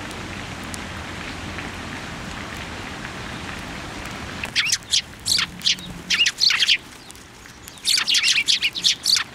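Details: Sparrows flocking to a plum tree at a Tenmangu shrine, February 10, 2024; after a quiet start with a rain-like hiss, a rapid run of sharp chirps breaks out, then a denser cluster near the end.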